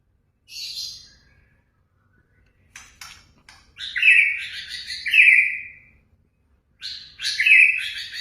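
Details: White-rumped shama provoking song: high, scratchy chirps and clicks, then loud, bright trilled whistles repeated in bursts about a second apart, with quiet gaps between.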